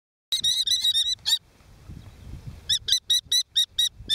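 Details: A brood of five young common kestrels, being ringed at Argaty, give rapid, shrill 'kee-kee-kee' calls in two bursts of about eight notes, separated by a brief pause with faint rustling.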